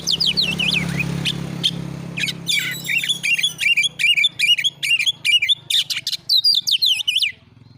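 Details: Oriental magpie-robin (kacer) in a fast 'nembak' training song meant to provoke other kacer into singing: loud rapid runs of sharp, bending whistled notes, over two per second, after a softer twittering start, with a faint low hum behind.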